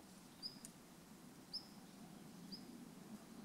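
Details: Male long-tailed rosefinch in Japan in December 2013 uttering its ground call: three faint, high, slightly descending whistled notes about one second apart against a steady low rumble.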